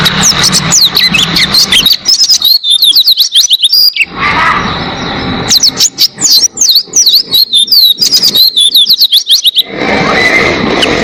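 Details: Oriental white-eye, known locally as pleci, singing lively and clearly as a tutor recording for training songbirds: rapid bursts of thin, high, twittering notes that sweep downward, broken by pauses and short stretches of rough background noise.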